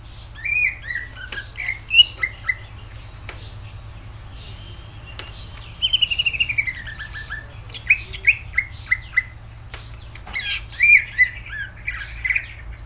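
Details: Energetic gacor song of a greater green leafbird, strings of bright whistled notes and descending slurred series, some phrases repeated three or four times in quick succession, with faint clicks and a low background hum.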